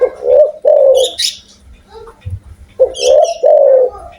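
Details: Spotted dove from Indonesia, described as loud-voiced and actively calling, gives deep coos: two rounded, slightly rising-falling phrases, a pause, then two more, with faint high chirps from other small birds between them.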